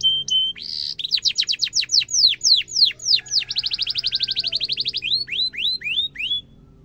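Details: Canary song used as a training lure for young canaries learning to sing, in the energetic chirping style with rolling trills: a brief note, a run of sharp downslurred chirps, a fast even trill, then slower arched notes.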